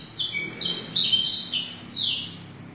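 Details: Song of a canary filled with blackthroat material: intense, very high buzzy trills and rattling phrases, loud and unbroken at first, then gradually fading toward the end.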